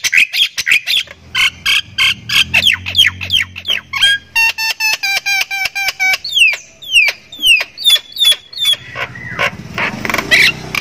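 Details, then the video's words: Javan myna from Thailand, a caged singer with a rich repertoire and human-like laughing cackle: fast squawky bursts, a rapid string of pure piping notes, then a series of clear downslurred whistles. "JALAK KEBO THAILAND SUPER GACOR NGEKEK ISIAN MEWAH"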